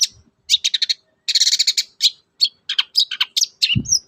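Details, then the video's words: Varied song of a caged long-tailed shrike, played to get other shrikes singing: rapid rattling bursts and buzzy chatter, then sharp, swooping whistled notes in quick succession, with a single low thud near the end. "pancingan ampuh cendet susah bunyi agar cepat gacor"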